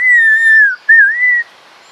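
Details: Male lyrebird running through his repertoire of sounds: a pure, loud whistle held level then dipping, a brief break, then a wavering whistle rising and falling before stopping.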